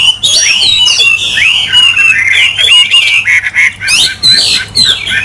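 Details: Sweet, sliding whistles and quick warbled runs from a caged Chinese hwamei, phrases rising and falling in a brisk, varied sequence with brief gaps.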